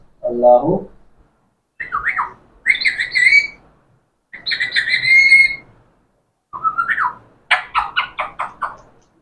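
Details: Talking parrot making a low nasal note, a rising squeaky call, two bright sustained whistles with overtones, then a rising whistle and a rapid run of six chattering notes.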